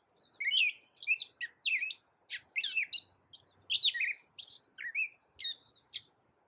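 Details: A varied stream of bright chattering notes from a Gray catbird, an American songbird that can copy a cat. Sharp chips, twangy upslurs and mewing squeaks are delivered in quick irregular bursts with nothing else audible.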